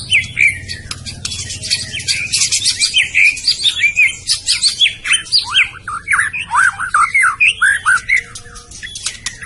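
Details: White-rumped shama from Medan singing a dense, fast medley: high chattering notes at first, then looping whistled phrases that rise and fall, repeated with brief pauses.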